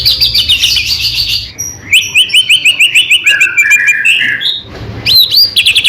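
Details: White-rumped shama singing to prompt other shamas into song: a buzzy trill, then a steady run of sharp upslurred whistles, lower slurred notes, and a final burst of rising whistles.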